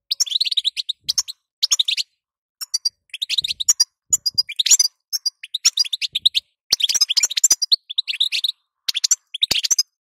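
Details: Female European goldfinch, batbata and sitsita call style meant to set a male singing. Dense, fast runs of high tinkling twitters and buzzy chirps, repeated in bursts of one to two seconds with brief gaps.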